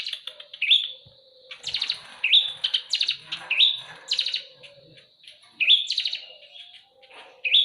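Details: Eurasian tree sparrows fighting, giving excited upslurred chirps mixed with fast stuttering buzzy chatter in dense, overlapping bursts.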